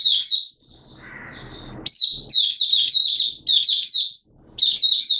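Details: A Malaysian Oriental white-eye in minor moult sings rapid, high, thin twittering phrases in several bursts, with a brief rustling noise near the start.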